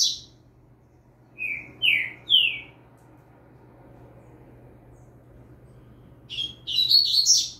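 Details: Young double-collared seedeater with a saw-billed saltator singing in the background: three slurred, downward notes, a long quiet gap, then a brief busy twitter of high notes.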